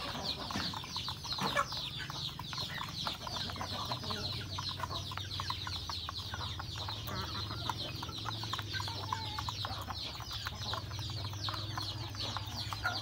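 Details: Rural home chickens, roosters and a hen, eating breakfast: a dense patter of pecking clicks under steady high chirping and soft clucks throughout, with a low hum beneath.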